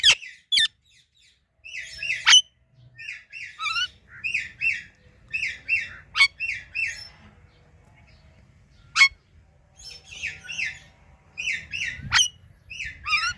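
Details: Talking Indian ringneck parakeet chirping in bursts of quick, buzzy, stuttering notes, grouped in short repeated phrases, broken by sharp clicks and brief silences, with faint low background hum.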